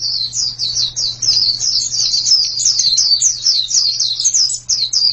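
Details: Continuous white-eye song: a rapid, almost unbroken stream of high, sweet downslurred chirps running for several seconds, with a low steady hum in the background.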